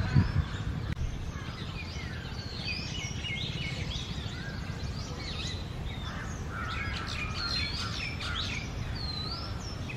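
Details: Male and female Oriental magpie-robins in song on an early summer morning during the breeding season: varied whistles and quick chirpy notes, growing busier in the second half, over constant low-pitched background noise.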